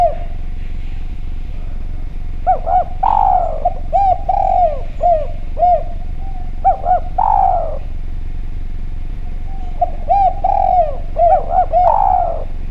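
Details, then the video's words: Spotted dove with a clear voice, used as a lure call: three runs of soft, rounded coos, each with a longer, louder swelling note, separated by pauses, over a constant low rumbling background hum. "Derkuku Djawa Gacor Suara Bening, Spesial Suara Pancingan"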